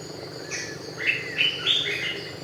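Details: Brown-winged Kingfisher, a protected species found in Thailand, giving three or four loud whistled notes that rise and fall, about a third of a second apart, over a thin high insect hiss and faint low hum.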